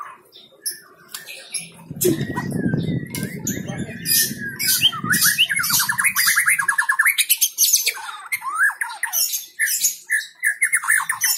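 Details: White-rumped shama in full song: loud, varied, rapid warbling and chattering phrases with fast trills and whistles, a brief low rumbling noise early on.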